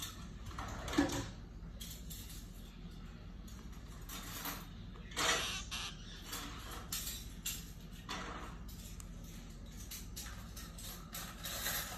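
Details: Scraping and creaking bursts over a steady high hiss and low background rumble, with no clear animal calls.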